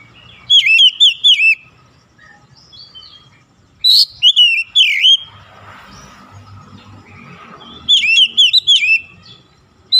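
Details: Kacer, the oriental magpie-robin, in morning sun: clear whistled phrases of swooping notes repeated in bursts, a sharp slurred note midway, quieter scratchy twittering and a low hum in the gaps.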